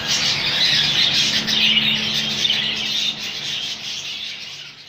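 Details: Rainbow budgie colony chatter: a loud, steady blend of squeaks and warbles that gradually fades toward the end.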